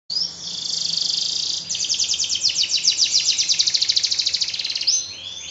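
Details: Canary song: a dense buzzy high trill held for over a second, then a rapid pulsed roll of sharp notes repeated several times per second, ending in short rising whistled slurs.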